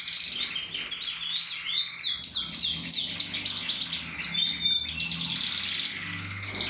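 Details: A Portuguese Harlequin canary from a breeder, singing in 2024, produces energetic rapid trills and sweeping chirps in quick succession, with occasional thin whistled notes over a faint low hum.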